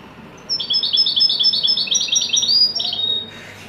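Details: Moroccan European goldfinch of the Widani song style, described as a joyful peak performance: a rapid run of bright, tinkling twittered notes, closely repeated for almost three seconds before a short final slur.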